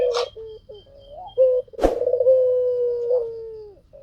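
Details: White dove singing energetically: low hollow coos broken by a sharp click, followed by a long trembling, purring coo that settles into a smooth sustained tone and tapers away.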